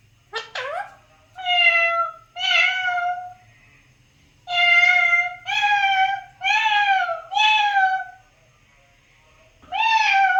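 An Alexandrine parakeet mimics a cat's meow, giving about eight drawn-out, nasal, harmonic mews in bursts, with pauses between them.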